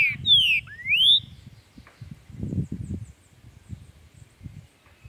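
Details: Chuim-style song of a Brazilian green-winged saltator, meant to spur a captive bird to sing: two clear whistled phrases, one falling and one sweeping upward, then low rumbling background noise.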